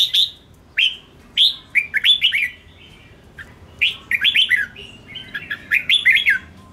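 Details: A red-whiskered bulbul sings its provoking fight song, a series of lively slurred whistles and chattering notes in short phrases, some fast and tumbling, separated by gaps.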